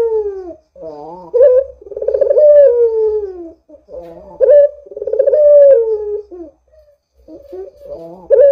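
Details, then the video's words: Used to set other doves calling, a Barbary dove gives three pulsed, rolling coos, each swelling then sliding lower, with wavering lead-in notes and short gaps between phrases. "Suara Burung PUTER Gacor ini Paling Ampuh Untuk PANCINGAN Puter Agar BUNYI"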